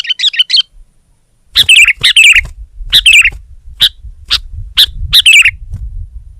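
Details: Sooty-headed bulbul song aimed at a rival: a short rippling phrase, a pause, then loud warbled phrases and single bright chirps, evenly spaced over a quiet low background hum.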